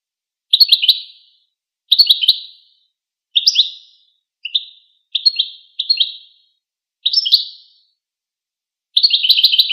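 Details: High, sweet goldfinch twitters: a string of brief chirpy phrases, some with a rising inflection, separated by short pauses, ending in a denser buzzy cluster of notes; clean, quiet background.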